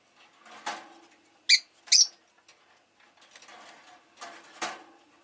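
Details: Rosy-faced lovebird making two bright, shrill chirps in quick succession mid-clip, set against faint passing street noise of cars and bikes.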